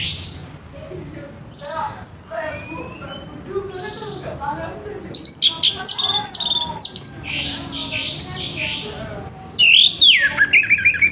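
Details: Morning orange-headed thrush song, harsh in tone and used to spur other thrushes: softer mixed chirps early on, then loud clipped bursts of rasping notes and a closing run of twisting whistled sweeps.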